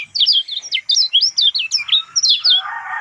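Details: Lemon-bellied white-eye singing as a lure for a silent bird: a string of crisp, separate high notes, each swooping down or up, about a dozen in three seconds.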